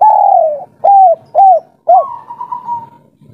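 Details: Local spotted dove, 'kuk 3' three-note style, calling to a female. It gives a long falling coo and three short arched coos roughly half a second apart, then a drawn-out steady note, over a faint low hum.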